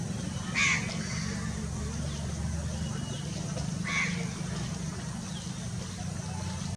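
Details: Common kingfisher at Pawas in the Western Ghats, India, giving two sharp, high, hiccup-like notes about three seconds apart over a steady low rumble of traffic or engine noise.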